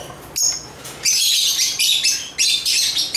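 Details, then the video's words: Agapornis lovebirds from Africa chirping: a short piping note, then sustained shrill, grating chatter with whistled overtones, pulsing in bursts about every half second. "African Love birds Agapornis chirps singing sounds"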